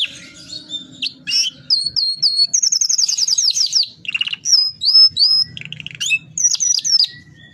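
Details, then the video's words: Lively canary in long rolling song, used as training material for other canaries: whistled slurs, a fast rolling trill of bright high notes, then varied chattering and rising whistles. "Suara burung kenari GACOR dorr ngerol panjang ‼️ cocok untuk masteran kenari lainnya"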